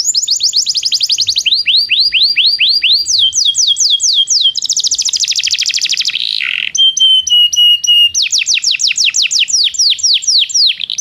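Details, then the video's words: Belgian canary song used to train non-singing canaries: long varied sequence of fast trills, falling whistled slurs, dense rolling tours, a short harsh burst, a clear flat whistle and renewed quick trilling. "Canto de canário belga - treinamento para canários não cantores"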